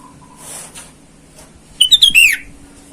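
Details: Sooty-headed bulbul in full voice in the wild, calling rivals and used to lure wild birds: a short burst of about five quick, clear whistled notes ending in a falling slurred sweep, after soft rustling.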